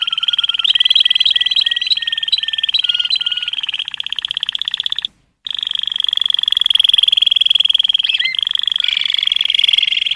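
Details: Malinois canary song of long sustained rolling trills, steady and rapidly pulsed, with short whistled notes repeated over them, broken by one brief silence.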